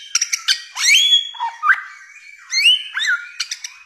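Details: Bare-throated whistler song mixing sharp clicking notes with long rising whistles and a low, dipping phrase, delivered in short separate bursts.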